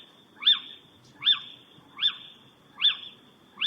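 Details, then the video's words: A little owl gives five sharp, mewing 'kiew' notes, each quickly rising then falling, spaced under a second apart over a faint background hiss. "Ciyow ( little owl)"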